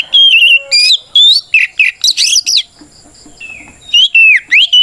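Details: Combative oriental magpie-robin song, sung to make other magpie-robins respond and fan their tails: fast strings of clear whistled slurs, trills and harsh chattery notes with a short lull midway, then renewed loud whistles.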